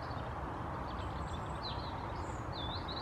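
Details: Thin, high chirps from an African blue tit, several short rising-and-falling slurred notes in quick succession, heard above a constant deep background rumble.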